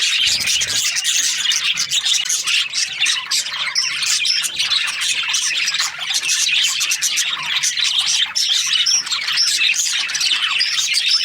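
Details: Budgerigars from Australia, a busy breeding-season group, fill the air with unbroken high chirping, rapid clicks and warbled notes layered over one another for the whole stretch.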